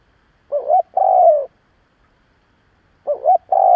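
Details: Spotted dove kept as a decoy, cooing to provoke other doves: one complete double-note-then-long-croo phrase, then a second phrase that starts and is cut short.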